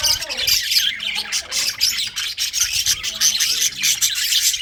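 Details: Winter budgerigar chirping: bright high tweets and scratchy trills tumble over one another in a lively, unbroken stream of chatter.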